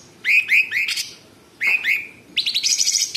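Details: Actively singing sooty-headed bulbul: three quick rising whistled notes, a pause, two more rising whistles trailing into a level tone, then a fast rattling buzzy trill of high notes.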